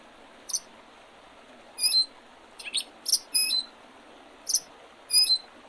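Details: Birds calling by the Oredezh River, Leningrad Oblast, Russia, on 8 April 2023 in spring: scattered high squeaky chirps and short whistled notes, some doubled, at uneven spacing, with soft background hiss.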